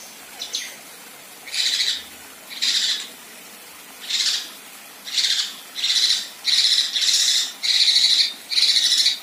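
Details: Female Kinoi besetan: harsh, buzzy rasps repeated more than once a second, growing louder and closer together toward the end.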